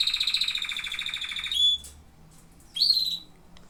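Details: A canary sings a rapid pulsed trill for a second and a half, ends on a clear whistle, then after a gap gives a rising slurred note.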